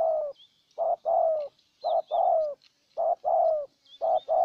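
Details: Spotted dove decoy cooing steadily to lure a wild dove, Ninh Thuận, Vietnam: rapid run of paired phrases, a short note and then a sustained, gently descending coo, repeating roughly every second; faint distant bird whistles.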